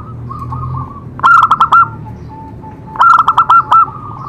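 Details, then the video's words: Zebra dove singing to stimulate other doves: two bursts of rapid, bubbly staccato coos, each ending in longer ringing notes, separated by a soft drawn-out trilling coo, with quiet background hum. "Cocok untuk terapi semua jenis perkutut pasti nyamber"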